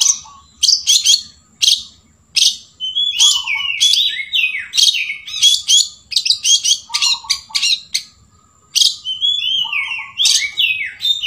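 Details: Long-tailed shrike singing sooty-headed bulbul imitations: harsh chips alternating with sweet, descending slurred whistles and jumbled chatter, phrases separated by brief silences.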